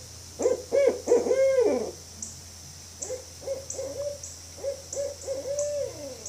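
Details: A Barred Owl gives a few loud, quavering, wavering hoots, then a quicker run of shorter, clipped hoots, over a faint steady high-pitched hiss.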